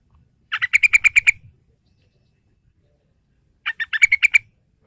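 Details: Two bubbly phrases from a yellow-vented bulbul, used to draw young captive bulbuls into song, each a fast chattering string of seven or eight chirps about three seconds apart, over near silence.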